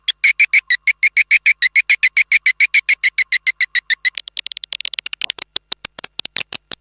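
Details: Swiftlet lure call played outside to attract swiftlets: a fast, even series of bright buzzy chirps at about three per second for four seconds, then quicker, thinner clicking pulses.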